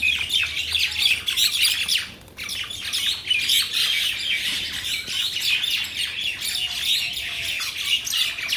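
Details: Flock of mynas from Bangladesh chattering nonstop: rapid, scratchy chirps and squawks tumbling over each other, with a brief lull just after two seconds before the busy twittering resumes.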